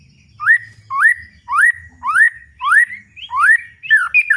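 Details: White-rumped shama (murai batu) giving its loud 'ngeplong' song: six similar rising whistled notes, each curving upward then leveling off, spaced roughly every half second, closing with a brief twittered phrase.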